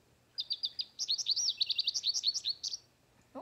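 American Goldfinch singing a rapid, high-pitched run of twittering notes and warbled trills, lasting about two and a half seconds.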